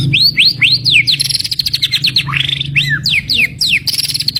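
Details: Fighter white-rumped shama with a prized 'tembakan' (shooting) song: loud, rich whistled notes sweeping up and down in rapid succession, mixed with sharp chattering phrases, over a steady low hum.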